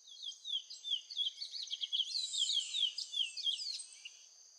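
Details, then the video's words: Chestnut-bellied seed finch (curió) singing a fast, continuous warble of clear whistled notes and slurred trills over a steady high insect drone. "CURIÓ VERDADEIRO VOCALIZANDO"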